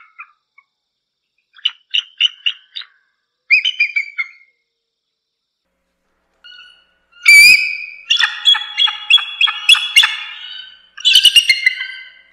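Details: Bald eagle calling: a few short thin pips, then a loud burst of high, chattering, squealing notes with rich harmonics, tumbling in quick succession before a final shrill squeal.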